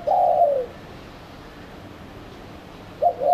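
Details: Spotted dove lure sound used to attract doves. A low, soft cooing phrase opens the clip, followed by steady background hiss and the start of another coo at the end.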